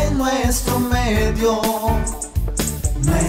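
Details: Music with a steady beat, bass and a singing voice fills the whole stretch, with no animal sound heard.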